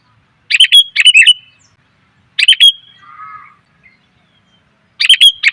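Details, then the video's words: Female sooty-headed bulbul calling to attract males: three short bursts of sharp chirps, with a soft, low warbling sound between the second and third. "suara pikat burung kutilang betina,TOP bangat memanggil pejantan"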